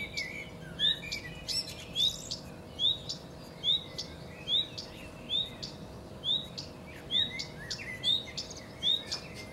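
Common redstart giving short, high, upslurred notes about once a second, with a few sharper ticks and chirps among them over a faint rural hum.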